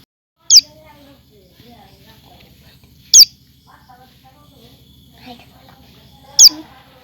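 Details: Common tailorbird (Orthotomus sutorius) chick, small yellow and brown: three loud, sharp, very high notes, each dropping quickly, spaced about three seconds apart over a faint low hum.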